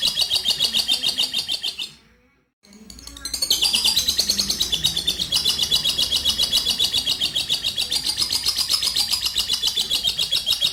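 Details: Lovebird champion long trill used as a lure for other birds: a high, rapid, continuous chattering trill pulsing several times a second, broken by a brief gap of silence before resuming steadily.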